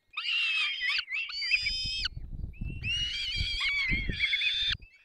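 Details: Begging screams of peregrine falcon chicks as both parents feed them at the nest, Dolina Baryczy, 3 May 2024: loud, harsh, sustained screeches in two long bouts, with scuffling and tapping from the nest underneath.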